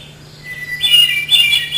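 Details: Hermit thrush song: a clear sustained whistle that opens a phrase, followed by a higher, fluttering burst of notes, with a steady low hum underneath.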